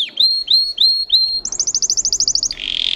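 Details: Singer canary giving four clear upslurred whistles, then a rapid run of bright high notes, ending in a sustained buzzy rattle.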